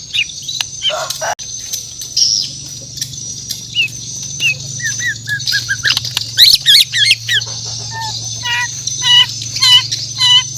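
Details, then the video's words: White-rumped shama from Borneo singing in the morning: scattered short whistled notes and downslurs, then quick repeated chirps near the end, over a constant high-pitched hiss and a low hum. "The Best Bird Singing In The Word || Murai Batu Borneo"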